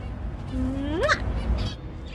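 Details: Six-year-old male Indian ringneck parakeet, a pet greeting its owner as she comes home: one rising whistled note sweeping upward and ending abruptly, over steady room hum.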